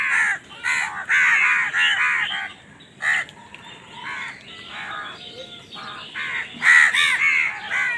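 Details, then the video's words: Several crows competing for food call in a dense, overlapping burst of hoarse caws, then a quieter stretch before louder caws return near the end. "Crow Bird Crowing Sound || Crow ki Awaz part 68 || Crow Bird Fight for Food"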